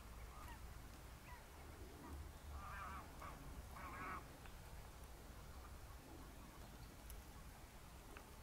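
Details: Close encounter with a greylag goose giving two short, nasal, harsh honks about a second apart, over a steady low rumble of wind or handling noise.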